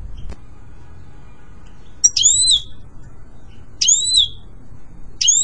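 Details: Goldfinch song for pet-bird training: after a silent start with a faint click, three high whistled notes with sharp onsets and sliding double tones, roughly every one and a half to two seconds, over low hum.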